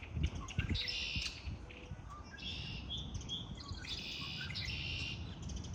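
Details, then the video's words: Birds singing in spring: several high twittering phrases, some long and some brief, follow one another with scattered chirps and short whistles, over a low rumble. "آوای آرامش بخش پرندگان در بهار(Relaxing with the sound of birds)"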